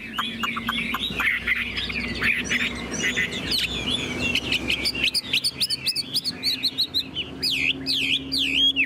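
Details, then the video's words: Tame, caged Chinese hwamei singing tirelessly: a fast stream of varied, looping whistled phrases that shifts into loud, repeated wavy notes toward the end, with a low steady hum underneath. "Họa mi đẳng cấp, chim thuần, hót như 1 cái máy"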